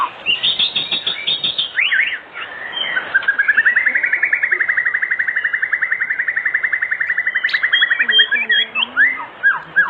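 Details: Oriental magpie-robin song used as an evening lure to make other magpie-robins sing: opening high chirps, then a long steady trill of rapidly repeated notes lasting several seconds, ending in sharp chips.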